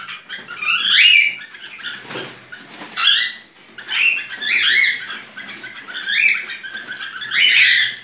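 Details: Cockatiel in breeding condition giving its mating call: repeated harsh, warbling bursts at intervals of about one to one and a half seconds, with a fluttering rustle between them.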